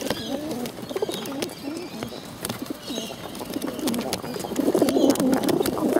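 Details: Hungry bottle-fed pigeons begging: a run of wavering, squeaky low-pitched calls, irregular at first, swelling louder and denser toward the end, with scattered clicks and knocks around them.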